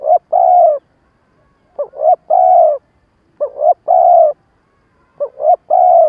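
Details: Spotted dove kept as a decoy, giving a stuttering coo-and-crow style meant to provoke wild doves into responding for trapping; three-part phrases of two short rising notes then a long mellow coo, repeated about every 1.7 seconds.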